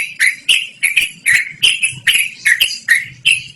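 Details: Yellow-vented bulbul in loud, melodious, long continuous song, used for luring or training birds: about nine bubbly, slurred notes at an even pace, each starting with a sharp click, with a faint low hum behind.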